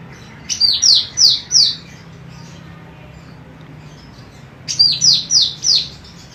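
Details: Female golden cucak rante, a chatty bird used as a master for training other birds, giving two phrases of four loud, sweeping high whistled notes, each slurring downward, separated by a few seconds of quiet hiss.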